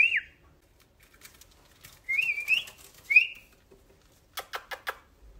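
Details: A two-month-old cockatiel gives short, clear whistled notes that rise and bend, tweeting back and forth with its owner.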